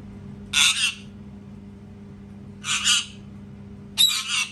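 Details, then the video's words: Loud parrot screaming: three harsh, raspy shrieks, each about half a second long and spaced roughly one to two seconds apart, over a low constant hum. "PARROT SCREAMING TOO LOUD | PARROT SCREAMING SOUNDS"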